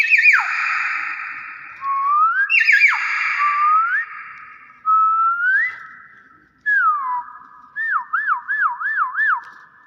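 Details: Common hill myna running through varied whistles: sharp downward swoops, short upward slides, and a final quick wavering series of four rising-and-falling notes, with hardly a pause between phrases and no background noise.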